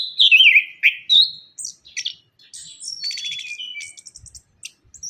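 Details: Orange-headed thrush song used as a lure for birds that sing little after moulting: a wavering whistled opening, then varied chirps, buzzy trills and rattles in quick succession.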